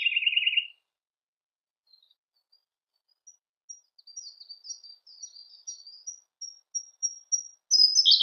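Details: Siberian blue robin song opening with a short, loud, lower rattling trill, then sparse faint notes growing into a steady series of thin, high ticks, about four per second, ending in a loud high burst.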